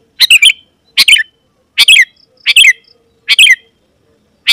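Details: Sooty-headed bulbul in vigorous song meant to attract wild bulbuls: rapid, rollicking two- and three-note phrases at a steady rate of just over one per second.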